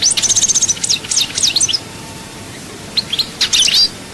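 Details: European goldfinch from Souk Ahras, Algeria, in song: a rapid run of bright, liquid twittering notes and sweeps, a short pause, then a renewed burst of high trills.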